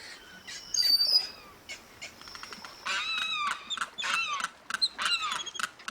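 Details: A female limpkin in a swamp calls to her brood of five young: loud, ringing, arched calls in quick bursts, repeated several times over a few seconds, with thin high chirps and faint rustling at the start.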